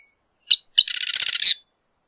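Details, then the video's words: Short marsh wren song: one sharp note, a second chip, then a dense, buzzy rattling trill lasting roughly three-quarters of a second. "Marsh Wren Song! Marsh Wren Call! Marsh Wren!"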